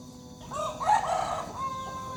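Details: A broiler rooster, kept as a breeding male in a village hamlet, gives a single hoarse crow. It swells up loudly after a faint start, wavers through the middle, then trails off into a thinner held tone.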